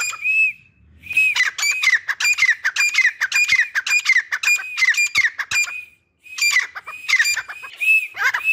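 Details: Active grey francolins, a pair in a cage, utter fast, scratchy calls with whistled arcs. Two short silences split the series before the calling resumes loudly.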